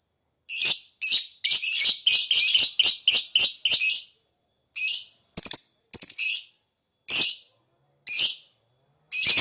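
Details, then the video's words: Lakbet singing vigorously as a lure for other lakbets: fast volleys of harsh, raspy, high bursts, eight in quick succession, then spaced singly, with a thin steady whistle-like tone held underneath throughout. "Burung lakbet, gacor buat pancingan suara lakbet"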